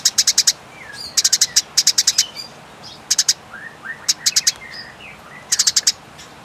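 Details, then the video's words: Fighting Eurasian tree sparrow with a long, clear call. Short bursts of four to six quick, high, sharp chirps repeat about every second, with soft falling whistles from another bird in the gaps. "Masteran Gereja Tarung Nyeret Panjang Jernih"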